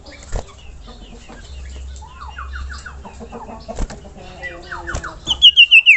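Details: Common iora (sirtu, cipoh) song for masteran: scattered soft whistled and chirping notes, then a loud run of five sharp, quickly repeated descending whistles at the end.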